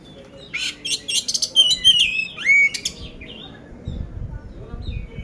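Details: Competition-ready poci oriental magpie-robin in Magelang, Central Java, singing a coarse-filled song: a dense flurry of sharp chirps and slurred, swooping whistles, then fading into quiet background noise.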